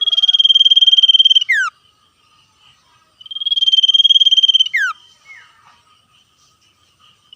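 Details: Wild-sounding common iora in energetic 'ngetir' song, exchanging calls with free-living birds: a sustained buzzy trill, then a quick falling whistle, repeated twice, followed by softer distant replies.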